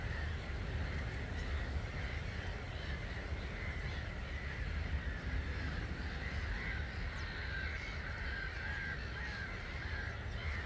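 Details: Around 250,000 starlings lifting from their roost at 05:45 on 21 March 2022 at Gibraltar Point NNR: an unbroken band of massed chattering and squeaky notes above a steady low roar throughout.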